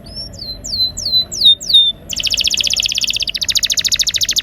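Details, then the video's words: Canary rolling song meant to prompt silent canaries into song: five slow descending whistles, then a steady rapid buzzy trill of pulsed notes to the end. "Pancingan suara burung kenari gacor ngeroll..!! cocok untuk kenari macet agar mau bunyi"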